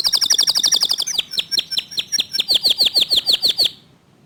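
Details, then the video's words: Rapid, dense tembakan song from a local canary: a steady stream of high, sharply swept notes, very fast at first, then slightly slower and more ringing, stopping cleanly after almost four seconds. "Kicau Kenari Lokal Tembakan speed rapat Suara Jernih"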